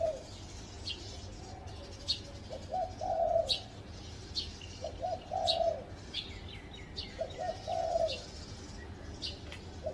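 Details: Wild spotted dove on a tree by a house, repeating husky, mellow coos in short phrases spaced a few seconds apart. Faint high chirps from other small birds are scattered throughout.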